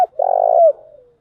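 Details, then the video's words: Female spotted dove lure coo, thúc gù and gáy gọi styles: a sharp click, then one long throbbing, burry coo that slurs down and fades into a quiet trailing murmur. "Tiếng chim cu gáy mồi giọng lôi cuốn hấp dẫn đủ bài[ THÚC GÙ , GÁY GỌI ]"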